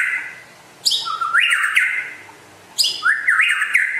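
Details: White-rumped shama from West Aceh, said to be rare, gives two matching phrases about two seconds apart: a crisp high opening note followed by a lilting, zigzagging whistle.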